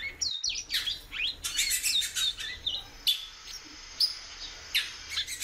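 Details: Captive female ultramarine grosbeak calling persistently; clustered high chirps and short whistled slurs in quick bursts, then spaced single upswept notes about every second.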